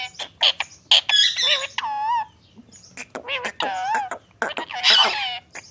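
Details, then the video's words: Talking ringneck parrot producing a run of clipped clicks and squawks mixed with wavering, voice-like harmonic phrases, bursts separated by brief pauses. "Face to Face Talking Parrot 🦜| Beautiful Ringneck Parrot"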